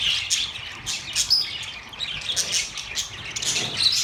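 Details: Singing budgerigars, a steady flow of high chirps and rasping twitters with brief thin whistles, busy and unbroken throughout.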